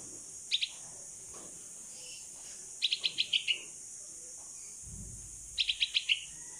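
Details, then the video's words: Rescued 16-day-old bulbul fledgling, a female called pulangga locally, calling its mother during flight practice outdoors: three bursts of rapid, high, thin chirps, a pair, then two runs of five or six, separated by pauses of about two seconds. "Baby Bulbul Bird (Pulangga) Calling Mom While Practicing To Fly in the Open"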